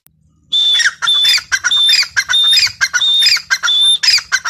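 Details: Grey francolin (Francolinus pondicerianus), possibly female, giving loud, harsh squawking calls in rapid repeated bursts, each with a high whistled note, running continuously with no other sounds.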